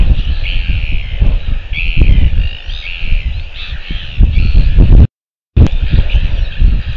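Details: Royal albatross chick filmed in New Zealand on 21 January 2023, giving rough, wavering, croaking calls in quick succession, then a brief pause, with loud wind buffeting throughout.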